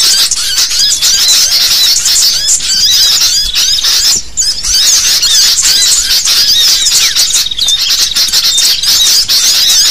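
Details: Sooty-headed bulbul flock in noisy chorus, shared as a lure sound for catching birds: unbroken high twittering and squeaking from many birds, with short whistled slurs standing out.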